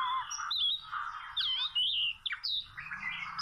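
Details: Wild Oriental magpie-robin near a rope trap: varied whistled song of clear rising and falling notes, sweeping phrases and bright slurred whistles, continuous over a quiet low rumble.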